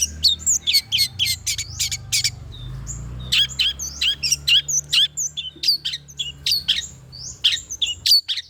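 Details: Long-tailed shrike song for luring other shrikes: a lively mix of crisp chips, quick slurred whistles and twittering notes in uneven bursts. A faint low hum sits in the background.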